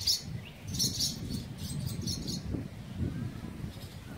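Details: High, clipped chirps from barn swallows nesting in a colony under a bridge at Mercer County Park, New Jersey, clustered in quick bursts near the start, then sparser, over a low rumbling background.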